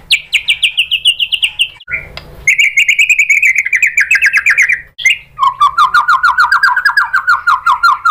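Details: Provoking song of the white-rumped shama (murai batu): three long rapid trills, the first high and falling, the second steady, the last lower, each separated by a short whistle.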